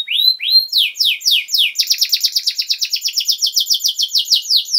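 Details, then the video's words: Domestic canary singing a long master song meant for tutoring young birds: two rising whistles open, then a fast run of downward-sweeping high chirps repeated several times a second in an even, rolling trill. "Canary Singing!Masteran Kenari Gacor Durasi Panjang 1 Titik Bagus Untuk PAUD Cantante Canario Actual"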